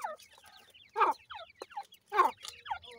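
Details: Francolin, called teetar, with new chicks this season; clear downward-slurred peeping notes between two loud harsh clucking bursts about a second apart, in a quiet setting.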